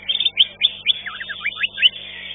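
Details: Green leafbird singing in a bird-song contest, placed fifth: quick bright chirps followed by a run of short downslurred whistled notes, then more sharp high chips, with a faint chorus of other contest birds behind.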